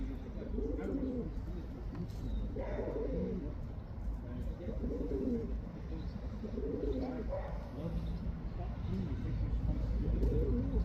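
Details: Male pigeon cooing to call a female: low, soft, throaty coos come in rounded bursts about every two seconds over a steady low rumble of background noise.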